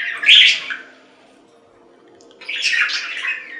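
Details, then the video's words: Budgerigar giving two brief raspy chatter bursts, a loud scratchy squawk, a long silence, then a buzzy warbling run. "3 Hour Budgie Sounds for Lonely Budgies"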